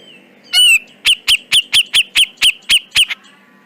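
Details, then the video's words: Grey-cheeked bulbul (cucak jenggot) in a masteran track. A loud, slurred descending whistle is followed by about nine evenly spaced, clipped chirps, each with a short upward flick. "Masteran Burung Cucak Jenggot Dijamin Langsung Nyaut"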